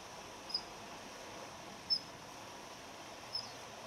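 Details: Ground call of the Daurian redstart, a wintering, territory-holding bird often seen in residential gardens, male and female. Three brief, piercing high notes spaced about 1.4 seconds apart sound over quiet steady background noise.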